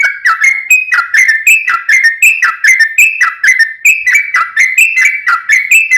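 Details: Sooty-headed bulbul singing in a chattering 'fighting' style with long rapid 'ropel' phrases, used as a lure to make other bulbuls answer; bright whistled two-part notes, each dipping then rising, repeated steadily about every half second.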